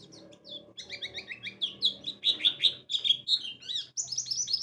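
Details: White-eye (pleci) lure song in the ngalas and wiksar styles, meant to make other white-eyes open their beaks and sing: rapid high chirps and short whistled slurs, denser and louder toward the middle, over a faint low hum.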